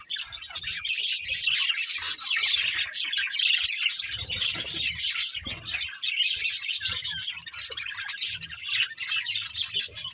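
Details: Chattering flock of playing budgies: nonstop busy high-pitched twitters and scratchy warbles overlapping throughout, with a brief dip in intensity midway and soft low knocks beneath.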